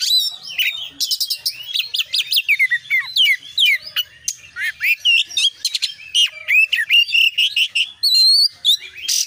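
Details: Busy, varied Oriental magpie-robin song delivered 'konslet' style with full fillers: bright whistles rising and falling, scratchy chatters and sharp ticks in quick succession, ending with a clear high whistled phrase.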